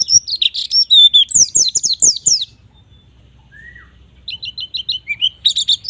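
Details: Lively 'gacor nembak' singing by a white-eye, played to get young birds going: a chattering burst of high slurred notes, a quiet gap, then a row of even, repeated short chirps.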